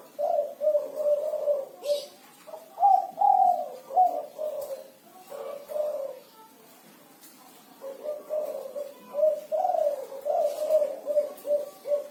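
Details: Spotted dove singing the six-note 'kuku 6' style: low, throaty coos repeated in rhythmic phrases, separated by short pauses, in a quiet setting.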